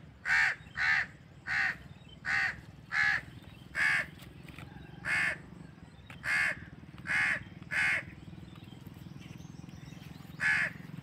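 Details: Crow heard outdoors in a natural setting, producing about eleven hoarse caws, first in a quick run then more widely spaced, over a steady low hum in the background.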